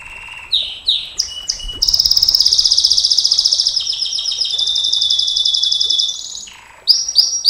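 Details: A canary sings a long 'nembak' song for use as a training master and lure: a few quick rising chirps, then a long, fast, rolling trill held for about four seconds, ending in bright sweeping notes.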